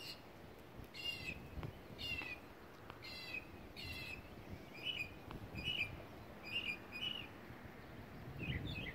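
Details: Whooping cranes on migration flying over Texas: high, brassy trumpeting notes about once a second, some doubled, over steady background noise.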